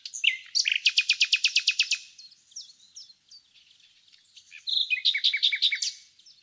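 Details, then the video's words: Common nightingale from a village countryside in Bursa, Turkey: a fast, rhythmic run of about ten loud repeated notes, soft scratchy twitters in a pause, then another whistled phrase breaking into quick repeated notes. "Bülbül Ötüşü"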